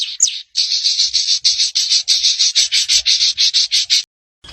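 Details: Crimson sunbird chatter used to provoke others into calling: a rasping, buzzy series of harsh notes repeated about three times a second, after one sharp opening note.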